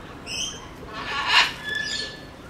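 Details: Captive sulphur-crested cockatoo at the Belgrade zoo in Serbia, 2021: one short, coarse squawk in the middle, with thin whistled tones from other birds before and after.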